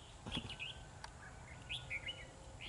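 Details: A newly caught oriental magpie-robin with a loud, bell-like voice gives a few short, clear whistled notes and slurred phrases, high and varied, with gaps between. A low outdoor rumble sits underneath.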